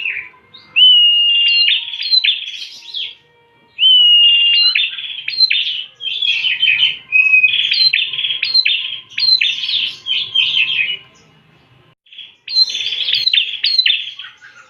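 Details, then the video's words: Bar-winged prinia song played as a lure: a rising whistled note leads into runs of buzzy, stuttering notes. Phrases repeat after short pauses over quiet surroundings. "pancingan burung prenjak"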